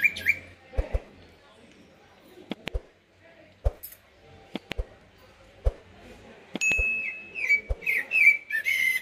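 Common blackbird gives short, clear whistled phrases near the start and a run of fluty, slightly falling notes at the end, broken by sharp clicks and knocks.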